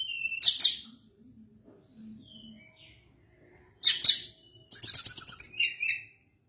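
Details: Lively Sunda blue robin song: a few sharp, high whistled notes, a pause, then a fast, even trill of rapid notes ending in a lower buzzy phrase.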